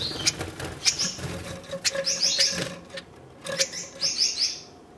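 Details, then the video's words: Red-headed Gouldian finches, a captive breeding pair during courtship: short, high, thin chirps in small clusters, separated by clicks and quiet gaps, with faint rustling. "Red-headed Gouldian Finch courtship"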